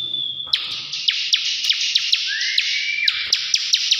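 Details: Continuous high buzzy reeling from a bar-winged prinia in ngebren style, studded with crisp ticks roughly every quarter second and one clear rising whistle near the middle.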